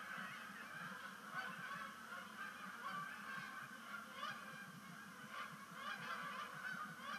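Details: Migrating Canada geese splash down at sunset on Sapsucker Woods Pond, October 2019, their honks piling up into a continuous clamour of short nasal notes from many birds at once.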